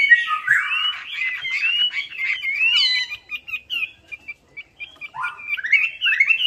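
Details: Melodious laughingthrush, called wambi, in song used as a lure: fluid rising and falling warbled whistles, then a string of short clipped notes and closing upswept slurs.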